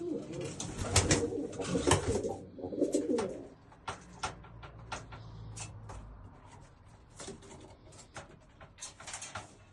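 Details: Old German Owl pigeons cooing: low, rolling throaty coos overlap through the first few seconds, then fade to softer murmurs. Sharp clicks and taps are scattered throughout.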